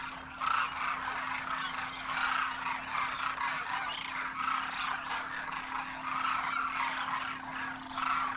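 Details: A huge flock of wintering demoiselle cranes, juveniles on their first migration with adults, trumpets in flight at Khichan Village, Rajasthan, India: a dense, continuous chorus of rolling, croaking notes, many voices overlapping, over a steady low hum.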